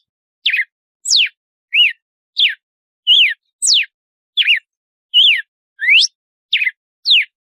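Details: Red-cowled cardinal singing açoite, the 'compasso' style song: a brisk sequence of piercing whistled notes, steep descending slurs mixed with rising sweeps and looped figures, about one and a half per second, in quiet surroundings.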